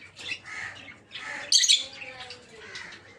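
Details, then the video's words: Peach-faced lovebirds of several colour forms in a breeding aviary give scattered squawky chattering calls, with one louder shrill burst midway, against a quiet background. "Peach-Faced Lovebird's Sounds"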